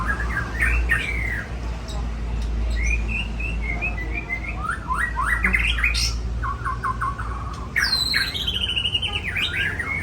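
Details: White-rumped shama, Aceh type, delivering varied whistled song: short slurred notes, rising sweeps and a descending chain of clear notes near the end, heard over a constant low rumble.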